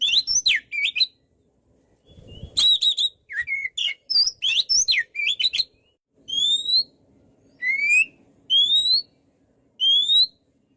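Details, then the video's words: White-rumped shama (kacer) in energetic song: fast, jumbled whistles and sharp chips, then a calmer series of single clear upslurred whistles spaced about a second apart. "MASTERAN BURUNG KACER GACOR SEKALI"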